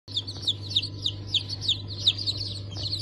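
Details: Newly hatched chicks of Brahma, Sultan, Sussex and Wyandotte breeds, hatch of 28 January 2024, giving high, downslurred peeps about three times a second over a steady low machine hum.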